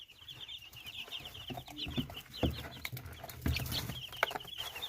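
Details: Chicks in Canada, peeping with a continuous series of short high cheeps, with low thumps and rustling underneath and a few louder knocks.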